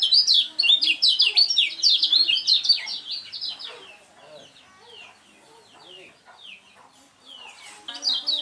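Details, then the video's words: Lemon-bellied white-eye, a champion contest bird, opens with about three seconds of loud, rapid, high chirping song, then drops to soft scattered twitters before a brief loud burst at the end. "kecial kuning BOCIL suara unik super juara"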